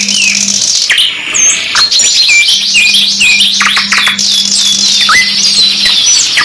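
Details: Canary singing from a 2-in-1 masteran recording, opening with looping whistled slurs, then rapid rolling trills and sharp descending notes, a low steady hum in the background.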